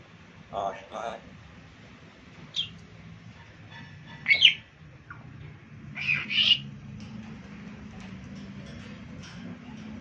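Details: A talking African grey parrot saying many words gives a few short bursts of speech-like chatter and sharp whistles, spaced a second or two apart, over a low background hum.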